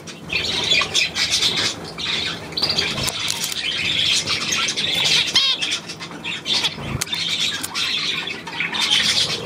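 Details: Budgerigars on 9 February 2024 give long stretches of dense, high warbling chatter with buzzy trills, squeaks and occasional wing flutters, plus a couple of dull knocks.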